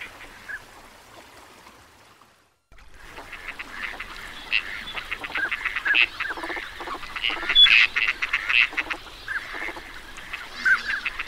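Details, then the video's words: Teal duck flock heard after a near-silent opening of about three seconds, then a dense stretch of overlapping nasal, rapidly repeated calls mixed with short high whistles, continuing steadily to the end. "Teal duck Sound"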